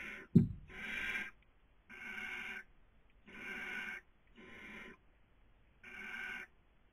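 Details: Series of rasping hisses from a barn owl, recorded by a nest webcam in Cabañeros National Park, Castilla-La Mancha, Spain, 2020 breeding season. Six breathy bursts about a second apart, with a sharp knock at the start.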